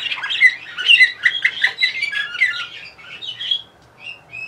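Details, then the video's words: Bulgarian canary in Sofia singing a lively run of chattering trills and ringing notes that fades into softer, spaced whistles. "Bulgarian Canary Orpheus 2020"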